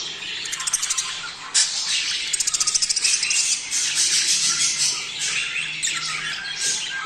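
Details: Budgerigar mating-stimulation chatter. High twittering carries a sudden squawk at about one and a half seconds, then a rapid run of evenly spaced clicking chirps, followed by more busy warbling.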